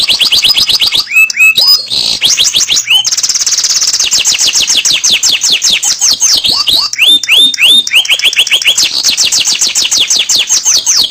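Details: Canary singing at length as a stimulus for other canaries: dense high trills of quick descending notes, a sustained buzzy passage, then repeated lower swooping whistles before the rapid trilling returns, loud and continuous.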